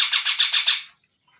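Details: Baby parrot letting out a single fast string of six or seven harsh, buzzy squawk pulses lasting under a second, then silence.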